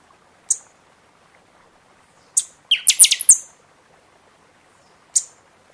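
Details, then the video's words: Singing buffy-fronted seedeater in season, song used to encourage caged birds after moult: isolated high chips frame a fast phrase of shrill, bright, descending and rising notes. "Pixoxó cantando muito na temporada"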